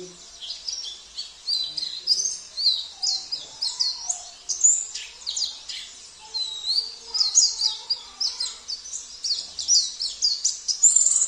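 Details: Long, lively oriental white-eye song from Sambas mixing in canary, cililin, kapas tembak and jenggot phrases: dense, high, rapidly pulsing twitters and trills, with a soft lower warble briefly near the middle.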